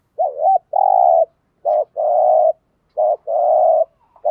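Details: A spotted dove of the local field type is cooing rapidly to incite wild males. A looping double note is followed by three short notes, each paired with a long rough rolling purr, in close succession with a slight click at the end.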